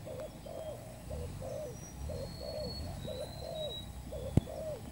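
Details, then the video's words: Spotted dove kept as a new decoy bird for trapping, cooing in rhythmic low phrases. Thin high whistles carry in the background, and a single sharp knock sounds near the end. "pikat terkukur burung baru"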